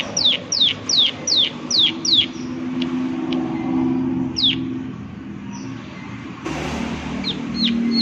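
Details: Prinia, "klik klik" type: a short burst of six falling clicks, then scattered single clicks among steady background noise and low humming.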